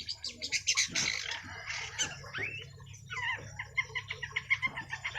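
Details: A juvenile long-tailed shrike pours out its mixed repertoire in a hard, determined song: harsh squawky bursts, a few slurred rising notes and fast ticking chatter, with a quieter pause midway.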